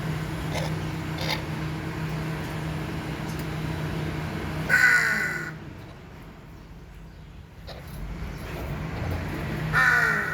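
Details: Hornbill giving two loud, harsh, nasal honks about five seconds apart, each under a second long, over a steady low mechanical hum and quiet background ticking.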